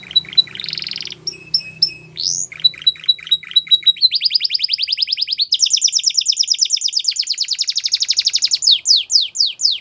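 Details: A Belgian canary begins with varied chirps and short clipped whistles over a faint low hum, then shifts into a fast rising trill and a sustained high rolling trill ending in sweeping notes.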